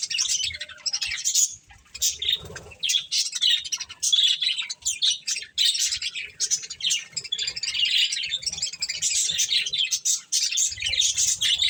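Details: Several budgies eating corn keep up a lively, high chatter of scratchy chirps and warbled phrases, nearly unbroken, with faint low bumps in the background.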